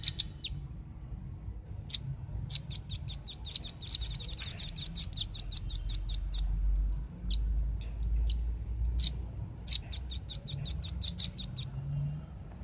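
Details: Velvet-fronted nuthatch song for luring birds: a long fast series of sharp high chips that briefly grows denser and overlapping, scattered single notes, then a second rapid run of about ten notes, with low rumble underneath.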